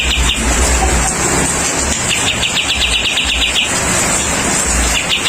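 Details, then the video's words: Bulbul known locally as kapas tembak singing under rain therapy: bursts of fast, evenly spaced chirping notes at a high pitch, two phrases separated by a pause, over steady hissing rain and a low rumble. "TERAPI AIR HUJAN MEMBUAT BURUNG KAPAS TEMBAK GACOR"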